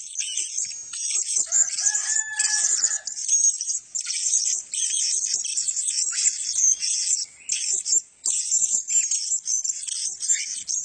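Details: A group of male blue-crowned hanging parrots keeps up a steady, high-pitched, hissing chatter, with a lower, steady whistled tone early on and a few brief silent gaps later.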